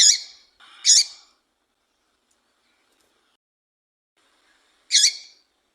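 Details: Female double-collared seedeater call meant to rouse males: a quick pair of harsh, buzzy chips, then a long silence and one more identical rasping note.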